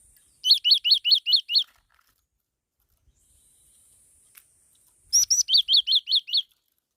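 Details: Black-throated laughingthrush, a caged ornamental bird, singing two bursts of six quick, sharp, arched chirps each, separated by a few seconds of quiet, with a faint click between phrases.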